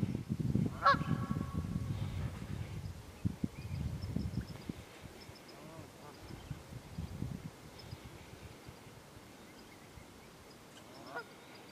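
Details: Wild geese in the Quehanna Wild Area, Pennsylvania, on 27 February: a loud honk with clear harmonics near the start, a fainter honk near the end, and steady low rumbling wind throughout.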